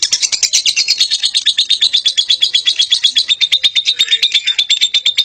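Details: Lovebird in ngekek, a long unbroken chatter: rapid harsh pulsed notes pour out nearly three times a second, steady and loud for the whole stretch, with a slight whistled edge.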